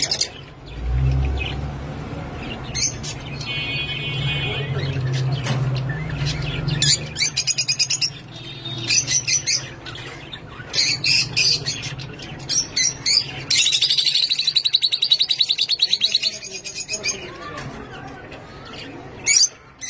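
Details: Many lovebirds at a breeding farm chatter constantly with shrill, sharp squeaks and harsh screeching chirps from many birds at once.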